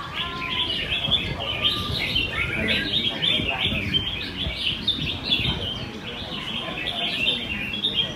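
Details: Red-whiskered bulbuls in a morning singing contest in Quy Nhơn, Vietnam, on 21 June 2020, trade rapid high chirps and short whistled phrases without pause, with a low murmur of spectators below.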